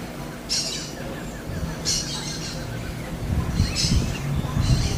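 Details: In the wild, a smooth-billed ani utters four brief, harsh, high shrieking bursts spaced roughly one to two seconds apart, while low rumbling noise grows toward the end.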